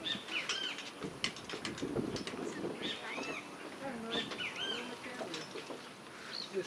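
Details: Great Kiskadee giving loud, ringing calls that say its name, "kiskadee", repeated several times, likely from the top of a big tree close behind people talking, heard on the way to a hawk watch with green jays, doves and house sparrows around.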